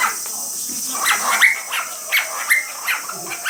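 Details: Male pet cockatiel vocalising beside a bathing female being misted with water; a quick run of scratchy chirps and a few rising whistled notes, several per second, with a steady background hiss.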